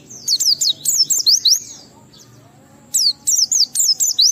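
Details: Oriental white-eye in ngalas song with riwikan phrases, aimed at stimulating other white-eyes: two bursts of quick, high, downward-slurred whistles, about eight notes each, separated by a second of near silence, with a low hum behind.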